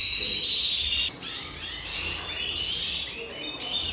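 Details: Red siskin singing in the 2023 season: a sharp whistled note, then a brief gap, then a dense stream of quick chirps and twittering phrases that rise and fall.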